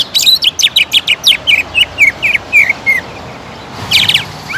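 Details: Caged greater green leafbird in Indonesia singing a rapid series of about fifteen short sweeping whistled notes, a strong bout provoked to excite it into nonstop song, ending with a brief burst of higher chirps.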